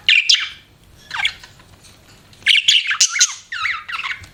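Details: Pet budgerigar chirps in short separate bursts: sharp squeaky notes and quick swooping whistles, with brief quiet pauses between the groups.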